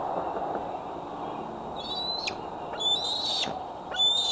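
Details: Female bald eagle at Decorah, transmitter newly attached, settling on her branch at 8:44 pm in fading light, July 2011, on a nest cam: quiet background first, then three high, thin whistled calls with falling ends.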